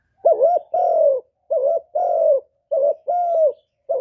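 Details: Captive spotted dove cooing to pull wild birds to the trap, recorded clean: brisk alternation of short wavering coos and longer flat, drawn-out coos, with almost no pauses between them.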